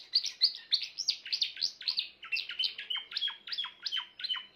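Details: Continuous song from a grey Timbrado canary: a fast chain of bright, clear pulses, first higher and ringing, then shifting to a lower, rolling, metallic trill.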